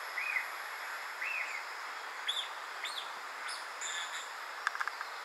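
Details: A golden-winged manakin at Parque Verde & Agua near Fusagasugá, Colombia, gives short, arched chirping notes, a few sliding upward, spaced about a second apart over a steady hiss of forest background.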